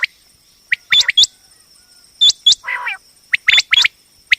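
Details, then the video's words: Calling female common quail, known locally as batair, heard as a hunting sound: clipped high chirps in doublets with hooked upswept notes and one short harsh rasping phrase, a steady faint electronic whine underneath. "common quail hunting sound//batair ki awaz"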